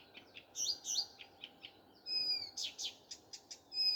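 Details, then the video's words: Common nightingale singing at morning: swooping looped notes, a run of clipped chips, then a thin sustained whistle and loud harsh strokes. "Nightingale singing. Утренее Пение Соловья."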